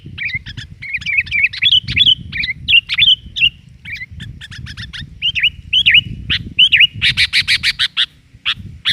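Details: Sooty-headed bulbul (kutilang) used as a lure, noisy and lively: warbling chirps and twisting notes, then a fast run of loud sharp repeated chips, with steady low background rumble throughout.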